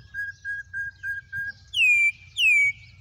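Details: A wild campo troupial gives a row of five short, identical flat whistles, then two strong, pure whistles that drop in pitch.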